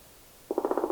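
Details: A black woodpecker (Dryocopus martius) in Latvia gives a brief, fast rattling call, a quick burst of about eight harsh, mid-pitched notes after a short quiet start.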